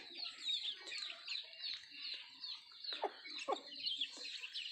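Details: Native country chickens (nattu kozhi) while eating food; dense, overlapping high chirps and peeps run throughout, with a few sharp pecking taps and soft low clucks beneath.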